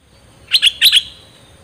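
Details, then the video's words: Nok dok taeng, from a Thai recording for training young birds and rousing them: two quick double chirps, bright and high, close together, over a faint steady hiss. "เสียงนกดอกแตงEp.2 ใช้หัดลูกนก เปิดให้นกคึก!!"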